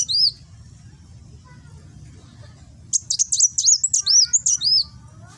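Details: Nembak-style song of a kolibri wulung sunbird, East Java, phone recording meant for training cagebirds: a brief high note, a long quiet gap, then a fast run of piercing chirps ending in curving whistles.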